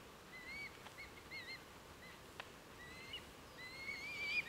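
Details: Red Kites from a gathering of over 100 birds in East Northants, 23 November 2015; faint, thin whistled calls drawn out and slightly rising, heard at a distance over steady background hiss.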